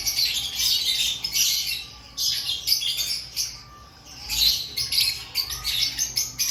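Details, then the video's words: Pre-breeding-season activity of aviary lovebirds: busy, raspy high-pitched twittering that fades to a lull near the middle, then resumes loudly. "Before breeding season Check your love Bird activity"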